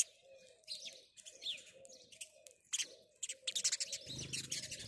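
House sparrows give a busy run of bright, high chirps and cheeps, while a low, soft cooing repeats underneath roughly once a second.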